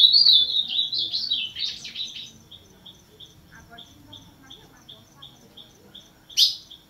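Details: Ultramarine grosbeak, azulão, opening with a warbled phrase of slurred whistles, then steady soft chip notes repeated roughly three times a second, with a loud click near the end.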